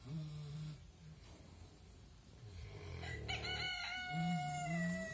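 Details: Rooster crowing while pigs keep snoring: a strained, drawn-out crow begins near the three-second mark, holding a bright harmonic tone before falling at the end, over low, rough, rhythmic pig snores heard throughout.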